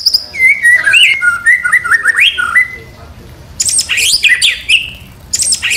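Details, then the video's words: White-rumped shama song meant for training and luring other songbirds: varied whistled phrases sliding up and down, a pause, then bursts of dense, scratchy high notes in quick succession. "MURAI BATU 100% MASTERAN DAN PANCINGAN"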